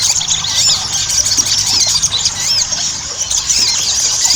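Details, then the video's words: Ruby-cheeked sunbird in lively chattering song, played as a lure to get other sunbirds singing. Thin, high squeaky notes, many arched up-and-down, tumble in dense overlapping bursts over a steady background hiss. "PANCINGAN SOGON AGAR CEPAT GACOR"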